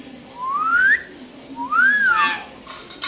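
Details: Common hill myna imitating speech: two loud, clear whistled slurs, the first rising steadily, the second rising then falling, separated by a short pause over a low background hum.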